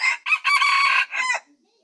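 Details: Wild red junglefowl, recorded in 2020, giving one full crow: two short harsh notes, a long strained sustained note, then a shorter falling tail, all loud and rich in overtones.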